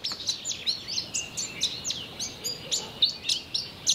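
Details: A male Pin-tailed Whydah sings from an exposed-branch song post in southern Africa to advertise its presence or attract a mate: a rapid, uneven run of thin, squeaky chirps and sharp sweeping notes, about four per second.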